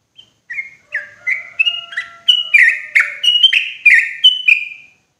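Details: Sooty-headed bulbul lure sound, loud and clear, for trapping bulbuls in forest: bright slurred chirps starting softly, then quickening into a fast, stronger series, with a faint thin steady tone underneath.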